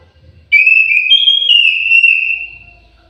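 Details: Melodious song of an orange-headed thrush in an aviary: one long, pure whistled phrase with a brief upward step, then a gradual fade over about two seconds. The background is otherwise quiet.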